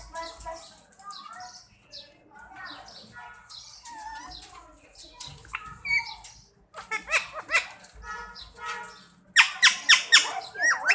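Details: Talking Indian parrot mimicking speech, saying Mian Mithu: a run of quavering, harmonic-rich voice-like phrases, then louder bursts of rapid harsh squawks near the end.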